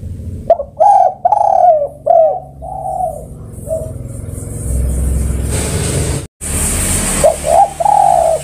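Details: Spotted dove calling its companions, a series of mellow, mid-pitched coos in quick succession, then a stretch of broadband hiss and rumble, with more coos returning at the end.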